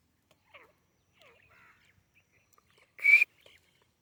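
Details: Soft, downslurred chirps and twitters come first, then a loud, clear whistled note from a white teetar partridge, followed by a quiet click.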